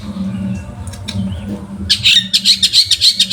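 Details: Long-tailed shrike song used as a master recording to train other birds: quiet opening, then loud high chattering notes repeated in quick pulses, several per second, over a constant low electrical hum.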